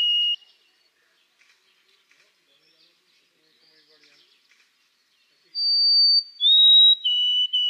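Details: White-throated sparrow song after a near-silent gap: a long high pure whistle, then a slightly lower held note and a lower steady whistle, clean and unhurried, preceded by the tail of an earlier note.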